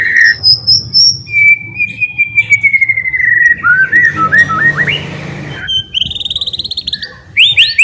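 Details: Lively white-rumped shama song meant to provoke silent shamas into answering: long drawn whistles slide down, then a run of short rising notes and rapid high trills.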